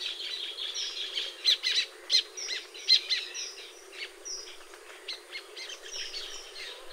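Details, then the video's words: Baya weaver calls from nesting birds in a tropical habitat: a loose series of short, high chirps and sharp ticks, some louder bursts clustered in the middle, over quiet background hiss. "The Baya Weaver’s Amazing Nests | Tropical Birdlife Sounds"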